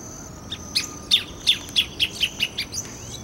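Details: Greater thornbird (Phacellodomus ruber) in Brasília cerrado, Brazil, calls a loud series of about eight sharp notes that speed up and drop slightly in pitch, over a thin, steady insect whine.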